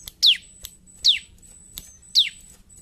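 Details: Bar-winged prinia singing actively in fighting style, three loud downslurred whistles spaced about a second apart, each dropping quickly from very high to mid pitch, with a faint constant high tone behind.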